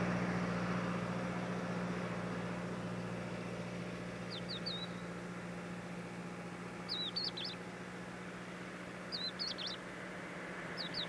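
A crested lark gives short, high, fluting whistled phrases about every two seconds over a steady low rumble, like distant traffic.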